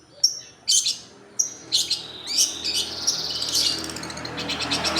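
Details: Long-tailed shrike lure song, with sharp high whistled notes and harsh buzzy bursts that build into continuous scratchy chatter.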